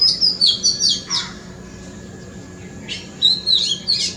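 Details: Oriental magpie-robin singing in a front yard: a quick run of high, sweet whistled and warbled notes, a short silence, then another varied phrase of slurred whistles.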